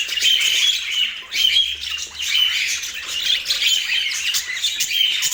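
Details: Budgerigar warbling in Portland, a busy run of harsh squawks mixed with thin whistled chirps, steady and unbroken, with one short dip in intensity a little after the first second.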